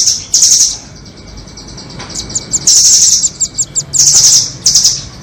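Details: Lure for trapping nuthatches of the doraemon and red-billed kinds: a single shrill trill, a quiet gap, then a stretch of repeated sharp chips and three strong, high rattling trills.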